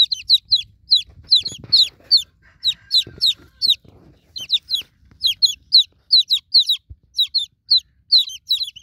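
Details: Newborn chicks call for a broody mother hen with a steady stream of piercing falling peeps, about two to three per second, and occasional soft low knocks and rustles.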